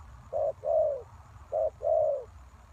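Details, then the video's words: Spotted dove call used as a lure for trapping wild doves: low, soft coos in pairs, a short note then a longer, slightly falling one, repeated twice over a faint low rumble. "Cu Gáy Mồi Đất"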